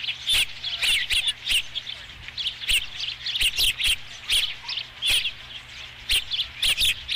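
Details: A series of piercing, whistled osprey chirps comes from a ranch nest on 5 July 2016 during the first fish delivery, in evenly spaced bursts about every half second to second, with a faint low hum underneath.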